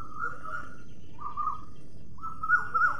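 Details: Parrot uttering three drawn-out, level whistled notes separated by short pauses, the last one wavering slightly, with a faint low background hum.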